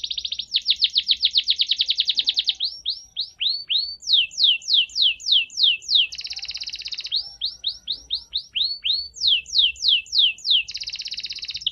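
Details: A canary, described as a Spanish canary, sings fast, bright trills of repeated notes, switching between rattling buzzy runs and clear descending whistled phrases, with no other sounds.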